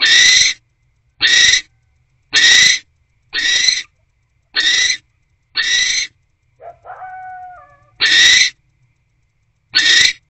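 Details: Nest box barn owls, 10:17 pm on 20 January 2024, mating after a rodent delivery; regular rasping screeches with a gap holding a thin descending whine, then screeches resume.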